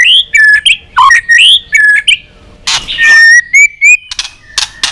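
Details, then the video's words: White-rumped shama competition fighting song: repeated slurred whistled phrases, a harsh rasping burst, then a long steady whistle rising slightly, ending with brief sharp notes. "chòe lửa nết đập xoay chớm lửa hót đấu"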